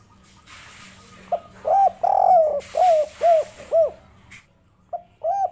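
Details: 'Kuk 3' style call of a local wild spotted dove (derkuku), played to get other birds singing: a run of five soft, rounded, downward-bending coos, then a pause and two shorter notes.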